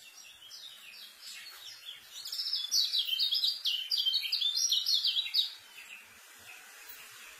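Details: White-eye delivering rapid, dense tutoring song for newly acquired birds: a loud three-second burst of high, quickly alternating slurred chirps, framed by softer twitters.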